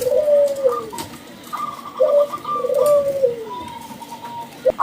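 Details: Local zebra dove with a loud call, used to prompt other doves into song. Deep, slurred coos sliding downward are interleaved with faint fast chattering trills higher up.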